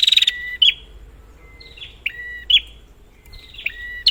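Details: Prinia calls used as a lure for prinias that have stopped singing: sparse, short high chirps and upswept notes with a few flat whistled tones in between, separated by quiet gaps.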